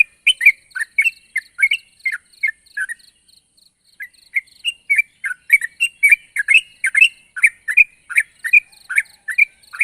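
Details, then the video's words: Sooty-headed bulbul calling a rival: bubbly chirp phrases that thin out and drop to a lull after three seconds, then resume briskly and continue evenly, with a faint high insect-like ticking throughout. "suara burung trucuk gacor memanggil lawan"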